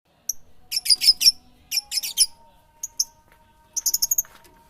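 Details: Songbird chirping in quick bright bursts of three to five high, sharp notes with pauses between groups, and a thin steady tone running underneath.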